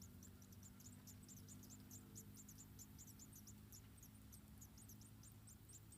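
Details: White-headed tit chicks, about four, begging in the nest while the mother feeds them in Indonesia: continuous soft, very high chirping, many overlapping notes, over a steady low drone.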